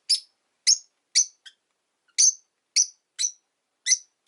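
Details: A pet rosy-faced lovebird, one of five, on a quiet afternoon in a cage by a window with faint street noise, gives sharp, shrill, high chirps, about eight in four seconds at an uneven pace, with quiet between them.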